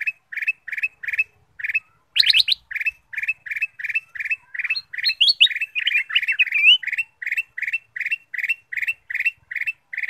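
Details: Ruby-throated bulbul sounding as a lure for other birds to sing: a steady run of short, clipped high notes, about three per second, broken by a brief burst of twittering warbles and one sharp click.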